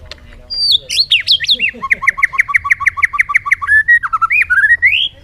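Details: Bird song opening with high sweeping whistles, then a quick rhythmic run of about twenty repeated chirps near three per second, closing with slurred rising whistles; low hum in the background.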